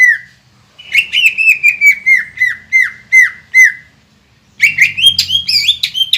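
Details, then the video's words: Chatty green leafbird song for provoking opponents within seconds: an even series of clipped, downward-flicking whistles, a quiet pause, then a jumbled burst of higher, squeaky notes with a low background rumble. "PANCINGAN CUCAK IJO GACOR INI MAMPU BIKIN EMOSI LAWAN CUMA HITUNGAN DETIK"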